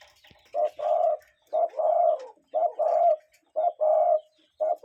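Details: Cuckoo recorded in nature, a real wild bird: paired low hooting notes, a short note followed by a longer one, repeated about once a second with brief silences between.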